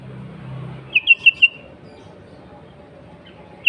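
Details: Sooty-headed bulbul, recorded as a lure for other bulbuls: four quick clear whistled notes on one pitch in a short burst, then a pause and a single note, after a brief low rumble.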